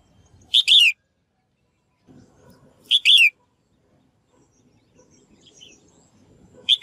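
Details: Calls of a female bird used to encourage males to sing actively: a loud two-part phrase, a quick chirp and a slurred harmonic note, recurring about every two and a half seconds over soft background rumble.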